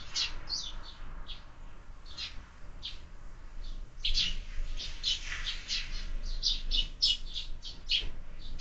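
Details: Sparrows feeding in the morning at a feeder fixed to a window chirp steadily. Scattered single tweets give way to a denser, overlapping run of sharp chirps in the second half.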